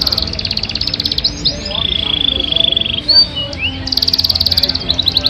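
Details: Yorkshire canary giving a long song: rapid buzzy trills near the top of its range alternate with a sustained whistled note and a few short upslurred whistles, with a faint steady hum beneath.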